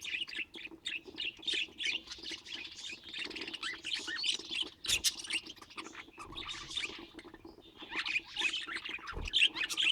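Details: Kept budgerigars of varied colour mutations keep up a busy stream of overlapping chirps, squeaks and harsh squawks. Short pauses break the flow, and a low thump is heard near the end.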